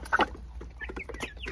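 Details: Three-month-old improved criolla hen in Huánuco, Peru, on a hot day, beginning to make an adult hen's cackle: a couple of louder harsh notes early on, then softer broken clucking over a low background hum.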